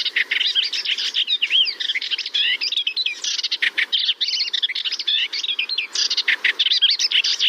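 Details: Melodious warbler whose song is described as complex, varied and including some imitations. A continuous, rapid, chattering warble of high twittering notes, buzzy bursts and slurred whistles runs almost without pause.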